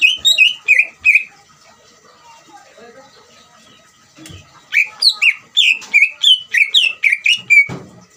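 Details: Greater green leafbird song used to provoke another leafbird to answer: a burst of slurred whistles, a pause with quiet chatter, then a longer rapid series of loud, down-slurred whistled notes ending with a low thump.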